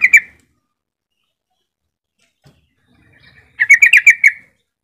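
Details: ['Yellow-vented bulbul song for luring other bulbuls into singing: two sharp notes at the start, a pause, then a rapid chattering burst of about eight bubbly, liquid notes.']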